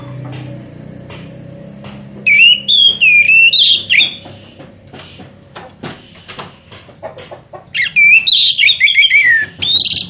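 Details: Orange-headed thrush song meant to lure birds into singing: two long, loud, warbling whistled phrases full of slurred, twisting notes, with softer clicks and quiet gaps between them.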